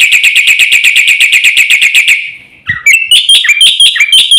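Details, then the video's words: Black-winged myna, fast full lure song for silent or stressed mynas: a long rapid train of even, buzzy repeated notes, a brief break, then louder scattered whistled and harsh notes. "suara masteran jalak putih gacor full isian cepat untuk pancingan burung jalak macet bunyi"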